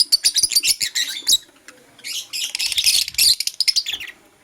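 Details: Morning song of a Blue Opaline lovebird: rapid, dense, high-pitched chirping and shrill twittering in two long bursts with a brief pause between them, loud and close.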